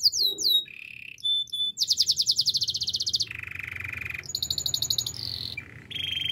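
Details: Canary singing for training, changing tours quickly: falling slurs, short whistles, a dense fast chipping trill, a lower buzzy roll, then high sharp notes and a steady whistled tone.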